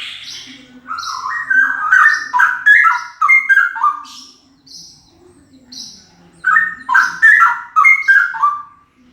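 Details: Very loud male straw-headed bulbul: cascades of bubbling, melodious whistled notes stepping downward, with two main bursts about five seconds apart and brief higher notes between them.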